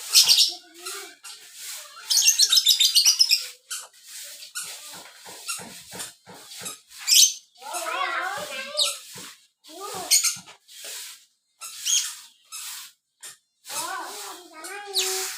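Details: Lovebird song in the style called biola, a long rapid chattering stream of high squeaky twitters and buzzy trills, with warbled lower notes in between and short pauses.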